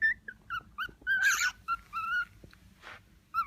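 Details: Young male cockatiel, six months old, serenading a female cockatiel that shows no interest: short whistled phrases with a brief harsh, noisy burst in the middle and another softer rasp near the end.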